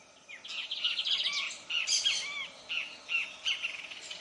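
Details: Lined seedeater song, a species found in shrubby clearings, plantations and tall grass near water in Brazil: a fast, bright, high twittering phrase of buzzy notes and down-slurred whistles in short bursts, with soft rural background.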